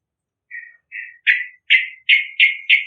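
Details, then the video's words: Yellow-vented bulbul, lively and vocal, used as a lure for other birds: a series of short chattering bursts, soft at first and then louder, repeating about every third of a second against silence. "Burung Trucukan Gacorrrrrrrrrr Cocok Pikat Suara Bakalan Trucukan"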